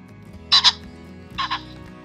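A Common Pheasant gives two harsh, explosive double-noted crows, a loud 'kor-kok' and then a softer repeat about a second later, over a faint low hum.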